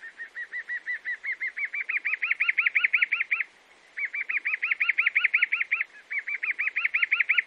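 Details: Chalk-browed mockingbird in Brazil singing long series of rapid arched whistles that climb slightly in pitch and grow louder, broken by two short pauses before the repeating notes resume.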